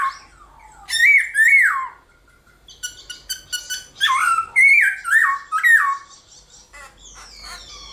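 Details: Black-throated laughingthrush fighting song in the morning: clusters of bright, warbling whistles with sharp overtones, dropping and rising in pitch, broken by quieter gaps and faint background chatter.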